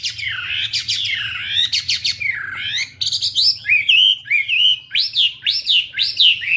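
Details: Wambi bird singing busily, a run of loud whistled notes sweeping up and down, first in long swooping phrases, then short rising-falling slurs about twice a second, over a faint low hum.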